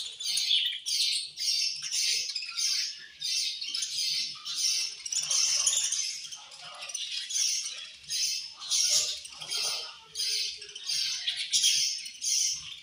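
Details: Budgerigars chirp angrily while feeding, a steady stream of harsh, buzzy high chatter broken into quick regular pulses, almost continuous over the whole stretch.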